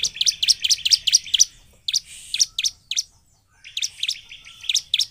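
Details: Lure song of a 'gacor' bar-winged prinia, meant to make quiet prinias sing: rapid sharp chirps repeated about twice a second, broken by two short gaps, ending with a further burst of bright high notes.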